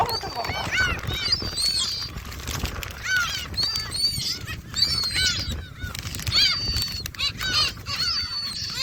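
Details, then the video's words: Gulls calling at Jebudo island while being fed shrimp crackers: repeated harsh, wavering cries in overlapping bursts from several birds, with people talking nearby throughout. "제부도 갈매기"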